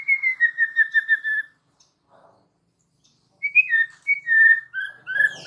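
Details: White-rumped shama (murai batu) in full song, a training recording meant to prompt other shamas to answer: a run of quick whistled notes on one pitch, a short pause, then varied whistled phrases sliding up and down.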